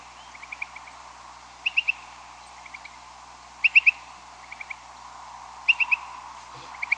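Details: Large flock of Upland Sandpipers passing over a house around 2 a.m. on May 13 during nocturnal spring migration; short clipped high notes in quick bursts of two to four, repeating every second or so, some louder and nearer, over steady low background hum.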